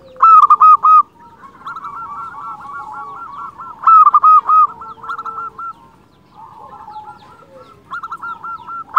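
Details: Persistently singing local zebra doves, a lure to draw and stimulate other doves: three loud clusters of quick staccato coos, each followed by softer rattling trills, with further doves cooing behind.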